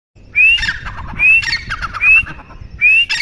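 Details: Partridge (teetar) calling: a loud, sharp rising whistle followed by harsh squawky notes, repeated about four times in three seconds in a steady rhythm.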